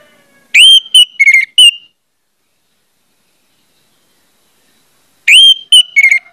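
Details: An Orange-headed thrush, used as a lure recording to prompt other birds of its kind to sing, gives two loud, clear phrases of rich whistled notes about four seconds apart.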